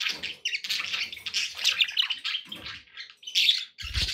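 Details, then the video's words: Continuous budgerigar warbling meant to encourage a pet parrot to eat and sing: dense, scratchy chatter with squeaks and whistled notes almost without pause, ending on a low thump. "budgie sounds to encourage your parrot to eat and sing"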